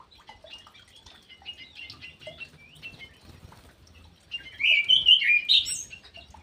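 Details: Captive ground thrush in an aviary: soft, scattered twittering notes, then a loud burst of rapid, varied whistled phrases near the end.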